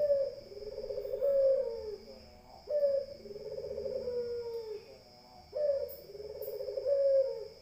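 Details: Repeated throaty coos of a Barbary dove, about three phrases, each a quick upward note leading into a long rolling purr. A steady electrical tone sounds behind them.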